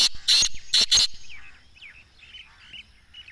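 A black francolin gives a burst of four loud, harsh, grating notes in about a second, followed by faint high chirps from small birds.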